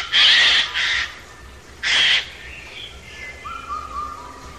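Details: A Eurasian jay (Garrulus glandarius) calls with harsh, rasping screeches in short bursts and faint whistled notes between; the species is described as a master mimic.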